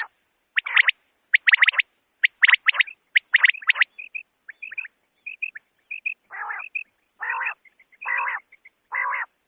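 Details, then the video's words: Common quail (batair) voice used in night hunting: rapid triplets of sharp whistled notes, then soft short pips, then four harsh buzzy notes about a second apart. "Common Quails sound Quail/Batair Ki awaz volume 2024 Bater ki awaz night shikar k ley/Beter ki voice"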